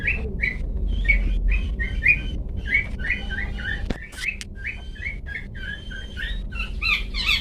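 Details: "Toet toet" singing of a long-tailed shrike, meant as a master for pet birds: repeated short whistled notes, roughly three per second and somewhat uneven, a few sharp clicks midway, then brighter, varied chirps toward the end.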